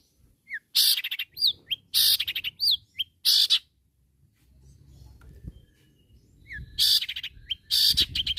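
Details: Long-tailed shrike calling rivals: loud harsh rasping bursts alternating with short slurred whistles, a quieter pause midway, then more rasps and whistles.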